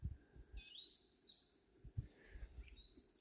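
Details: Brown-headed Parrots flying overhead in Timbavati give several shrill, screechy notes in quick succession, rising and falling, over a steady low rumble of wind or a stopped vehicle's engine.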